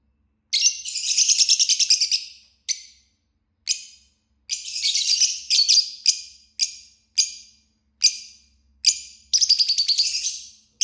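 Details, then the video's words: Lovebird singing and chirping: bursts of high, buzzy, rapidly pulsed chirps, some long rattling phrases of over a second and shorter single chirps, repeated with brief pauses throughout; no other sounds. "Love Bird Singing and Chirping Sounds"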